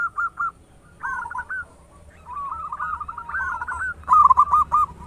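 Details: Local zebra dove with a large voice, played to stimulate other doves to sing quickly; several rolling cooing phrases of hooked notes, a long warbled run, then a loud stuttered burst.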